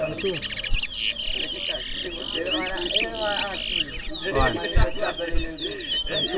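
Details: Twa-twa singing in a bird race at a bird ground in New Amsterdam, Berbice, Guyana, 2024; dense, rapid high warbling trills run almost nonstop, with men talking and crowd noise underneath.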